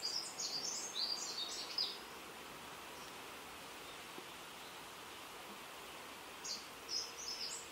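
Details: High, thin twittering from a male Greater Double-collared Sunbird comes in two bursts: a busy run of squeaky notes for the first two seconds, a long quiet stretch of background hiss, then a shorter flurry near the end.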